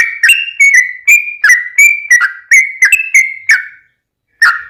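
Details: Sprightly yellow-vented bulbul song used as a lure for other bulbuls: about a dozen clear slurred whistles in quick succession, a pause of half a second, then one more note.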